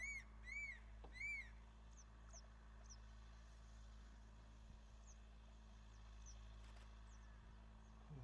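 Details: Crested serpent eagles calling to each other in the breeding season: three loud, ringing whistled notes in the opening second and a half, then quieter faint notes over a steady low engine-like hum.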